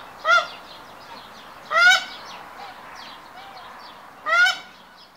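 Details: Hybrid Canada geese display in the triumph ceremony, the male courting the female as pairs form. Three loud, nasal honks sound about a second and a half to two and a half seconds apart over soft background calls.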